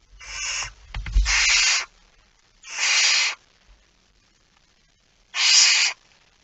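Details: Barn owl at its nest, feeding, 05:28 on 19 September 2019: four raspy screeching hisses, the first two close together with a knock between them, then a longer pause before the last.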